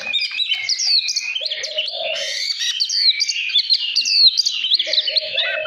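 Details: Oriental magpie-robin pours out a continuous, rich song of varied whistles, slurs and chatters, kept to lure wild birds and excite captive birds into singing; a low drawn-out tone is heard twice in the background.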